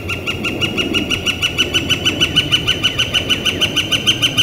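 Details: Northern flicker in spring, recorded 28 April 2014 on a warm, beautiful day under clear blue sky; loud, rhythmic series of identical ringing notes, a little over three per second, continuing steadily throughout.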